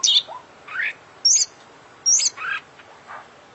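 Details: An oriental magpie-robin, an international contest champion, sings isian-rich phrases. Separate notes come with short gaps: very high thin whistles alternate with lower rising slurs and a soft closing note.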